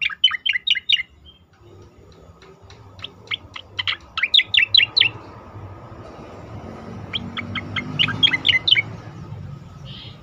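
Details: Asian pied starling song used as a training recording for competition birds: clusters of sharp, rapid chirps and whistled notes, a pause, then further bursts. A steady high hum and low rumbling noise run underneath.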